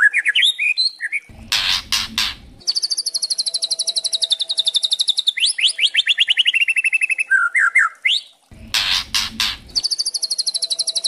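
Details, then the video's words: Spotted juvenile white-rumped shama (murai trotol) in kretekan style, meant to provoke caged birds to sing: quick whistled slurs, loud crackling bursts, then a sustained rapid trill of high notes descending in pitch, repeated. "Pancingan murai trotol memancing emosi variasi Kretekan bikin murai trotol gacor full isian"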